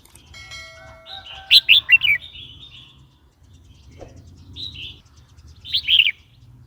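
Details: Red-whiskered bulbul song, played to provoke new or wild birds and to teach young birds: a quick burst of four bright, chirpy notes, then a short lone phrase and a final chirpy flourish, separated by pauses.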